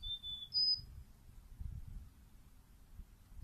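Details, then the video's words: Carolina chickadee uttering a few clear, high whistled notes, a lower drawn-out note followed by a higher one, over quiet low background rumble. "Chickadee call / song / sounds"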